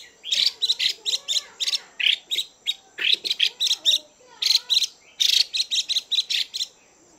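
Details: Female Chinese hwamei calling to excite males, an almost continuous rapid series of harsh, buzzy chirps with occasional quieter slurred notes between the bursts.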